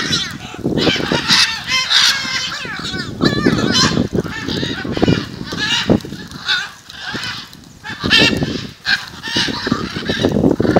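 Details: Jaumave, Tamaulipas, February 2015: macaws assembled in front of a house keep up a steady chorus of hoarse, rasping screeches, calls overlapping in uneven waves over low background rumble for about eleven seconds.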